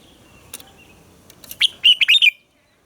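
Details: Red-whiskered bulbul giving a double-note morning song used to train captive bulbuls. After a quiet start, a single bright phrase of five or six fast, warbled, rising and falling notes ends abruptly.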